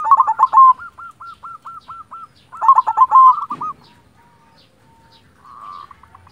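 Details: Local zebra dove of the silver type sings twice: each phrase begins with a rough, rolling burst and trails into evenly spaced, clipped cooing notes; ends with a faint, quieter murmur.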